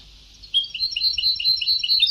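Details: European goldfinch singing an old-style Sebta (Ceuta) song from a vintage recording: after half a second of quiet, rapid twittering notes repeated in a fast, even trill, high and bright, with no other sounds.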